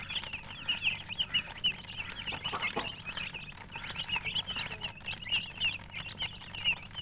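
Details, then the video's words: Continuous shrill chirping from a group of coloured chickens, short piping notes overlapping in an uneven rhythm over a soft hum. "silly chicken chirping sounds"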